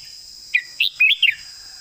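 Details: Single 'master song' phrase from a red-whiskered bulbul bred for singing competitions: four rapid, rounded, fluty notes, bouncing up and down then dropping at the end, with constant high-pitched hiss behind.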